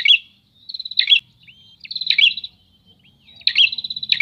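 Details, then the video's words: Prinia birds answering each other, loud buzzy trilled bursts alternating with thin whistles and chattering notes, four main bursts over a few seconds. "Suara Ocehan Burung Prenjak"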